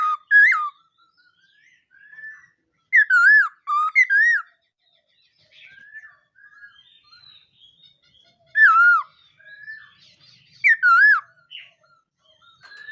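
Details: A black-throated laughingthrush practises its song in the morning, delivering scattered loud swooping whistles in short bursts between quieter warbled and chattering notes.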